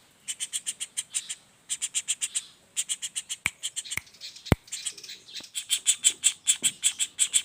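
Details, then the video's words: Young common flameback giving grouped runs of harsh, rasping notes. A few sharp knocks or taps sound midway, then a steady fast series of calls follows. "Suara Pelatuk Bawang Anakan Roll speed tanpa jeda"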